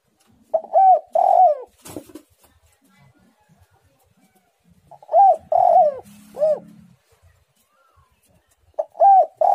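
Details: Spotted dove (tekukur) in lively, tightly pressed 'menekan rapat' song. Three phrases of quick coos, a drawn-out downslurred note and a looping hooked coo, separated by quiet gaps with a brief click.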